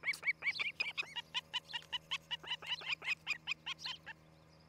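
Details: Osprey on its nest at Charlo, Montana, a pair preparing to raise a family; quick string of shrill, slightly downslurred whistled cheeps, around three per second, with a faint low hum beneath.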